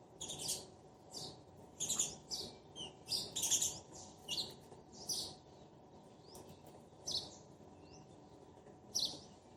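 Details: Sparrow pair calling to each other: bursts of high, harsh chirps in short clusters, irregular, roughly forty per minute, with quiet gaps between and faint background hiss.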